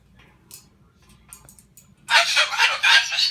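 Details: Misha, a Moluccan cockatoo, angry after his owner cleaned up his "nest" of shredded fruit and vegetables on the kitchen table, bursts into a loud, harsh, raspy screech lasting over a second after a quiet stretch with faint talking.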